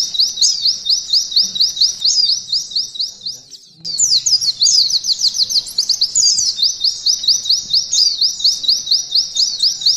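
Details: Continuous high rising notes from a mountain white-eye, used as canary training material in the 'nembak ngalun' style, broken by a short gap and then a dense, more varied outburst before the steady rhythm resumes.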